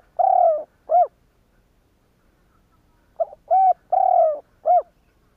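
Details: Spotted dove phrase used to provoke rival doves to coo, heard twice: a long falling coo and a short sharp coo, the second phrase opening with brief stuttering notes, in a quiet setting.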